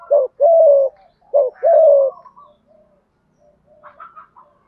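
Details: Two clear spotted dove coo pairs, each a short low note then a longer mellow coo, in the thúc gù thổ-voice style for stirring decoy birds, followed by faint softer notes and a brief higher chirping.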